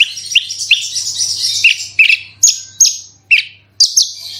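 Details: Branjangan (bushlark) song played as a lure to trigger singing: sharp high chirps and downward whistled sweeps in separate bursts, with a steady low hum beneath.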